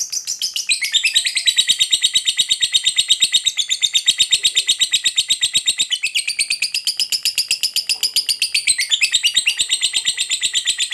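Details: Continuous ngekek from a fighter lovebird, used as a lure to set off other lovebirds; dense rapid rasping notes forming one long trill with gentle pitch swells, no breaks.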